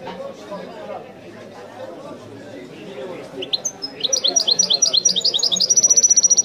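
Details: Authentic Wideni-style European goldfinch song: after a few seconds of low background voices, the bird breaks into a rapid, accelerating series of bright tinkling notes that ends in a steady buzzy trill.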